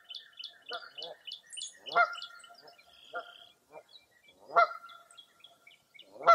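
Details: Mixed birds on a foggy early April morning at Mirror Lake State Park, Baraboo, Wisconsin: a rapid series of high, thin chirped notes, interrupted by loud, nasal, honking calls at about two, three and four-and-a-half seconds.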